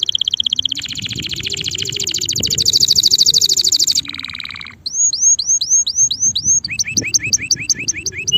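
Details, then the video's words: A male canary's song: a long, rapid buzzy roll, a lower grating burst, then a run of rising curved whistles and quick paired chirps, with some low background noise. "canario macho cantando"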